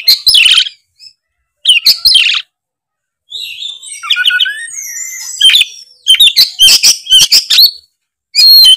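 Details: Oriental magpie-robin (kacer) in loud 'gacor ngeplong' singing: short bursts of harsh, scratchy high notes separated by silences, then a run of quick buzzy trills and sharp chirps near the end.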